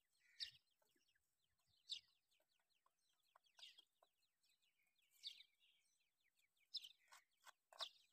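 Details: Grey francolin chicks, Dakni Irani type, offered for sale, uttering soft high peeps throughout, broken by loud sharp chirps about every one to two seconds, bunching toward the end.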